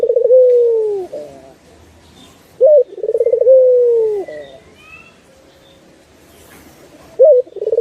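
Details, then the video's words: Master recording of turtle dove song for bird training: two long, mellow coos, each sliding slightly downward after a quick throbbing start and closed by a short upswept note, separated by a quiet pause with faint tones. "Masteran Burung puter"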